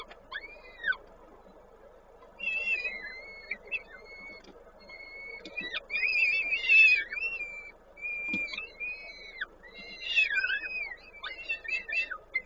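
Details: Peregrine falcon feeding at a nest in Koszalin, Poland, recorded 19 May 2022. Repeated high, whistled, descending notes and harsher chattering squeals in clusters, separated by brief quiet gaps, with background hum.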